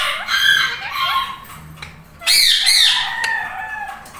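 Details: Two tame pet Indian ringneck parakeets, one lutino, bonding and talking; bending whistled notes and chattering phrases, then a loud, harsh, sustained screech with wavering pitch that fades into softer tonal calls.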